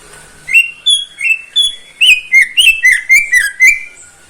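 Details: Caged greater green leafbird singing through the morning: a lively sequence of about twelve loud, clear, high whistled notes, some held and some quickly slurred up and down, delivered in a steady tumbling run.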